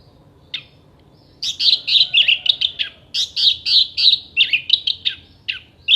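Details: Orange-headed thrush producing gacor contest song full of sharp tembakan: after one lone note, a dense, continuous stream of rapid high chirps and slurred whistles runs unbroken for over four seconds.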